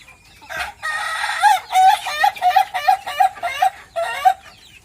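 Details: Laughing crow of an ayam ketawa contest chicken in Meulaboh: an opening drawn-out note followed by a fast series of about eight short, evenly spaced cackling pulses, like rhythmic laughter, in a quiet setting.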